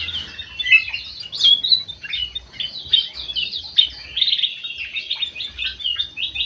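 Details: White-eyed golden bulbul in an aviary singing busily: rapid strings of short chirps and slurred whistles, pulsing in loud bursts about every second, with brief quieter gaps.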